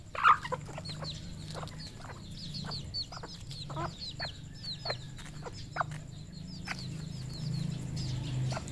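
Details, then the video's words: Red junglefowl flock on a Cambodian farm: one loud squawk at the start, then a steady stream of high, falling peeps with short clicks and clucks, over a droning low hum. "red junglefowl farm Cambodia"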